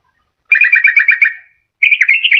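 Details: Sooty-headed bulbul lure song for luring wild birds or coaxing a quiet bird to sing: a fast even trill of paired notes that fades out, then a second warbled phrase rising in pitch.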